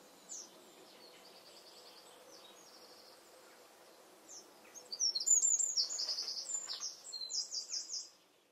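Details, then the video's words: Eurasian wren singing in a garden, partly hidden from view. A quiet start with faint high trills gives way after five seconds to a loud burst of very high, rapid trills and sharp ringing notes. "Wren Song"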